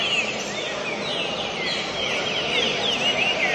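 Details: Green-winged saltators (Saltator similis), top singers at the start of the 2022 season, give clear whistled phrases, rising and falling, overlapping in quick succession over a steady hiss.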